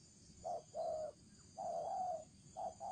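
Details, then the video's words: Decoy spotted dove cooing in the thổ trần style, soft low hoots with a brief note, a held one, a long drawn slurred coo, then two quick short notes, over a faint background hiss. "Cu gáy mồi thổ trần"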